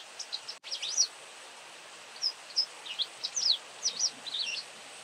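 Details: White wagtail chattering: a quick cluster of high slurred chirps, a short gap, then a lively series of rising and falling twittered notes, with steady faint outdoor hiss.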